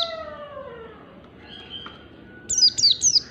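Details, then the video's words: Lower, descending harmonic whine fading out, then three crisp, high downslurred chirps of an Oriental white-eye, wild forest type, in quick succession. "pleci ngalas standar ^^ Oriental white eye bird"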